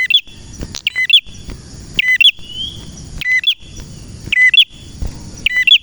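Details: Steady song of a male red prinia: loud paired chirps arriving about once a second, bright and clipped, with a faint thin whistle and a constant high tone in the background.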